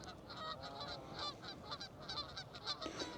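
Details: A flock of Canada geese at Curzon Wetlands on the River Irwell, Salford, on a foggy, sunny day, honking together with nasal, overlapping honks several times a second in a busy, continuous chorus.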